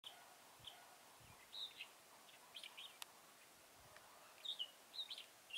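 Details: Red-whiskered bulbul recorded during a trapping session at Chùa Hương, Mỹ Đức, on 11 November 2017; short bright warbled phrases come in scattered bursts near the start and then cluster toward the end over a quiet outdoor background.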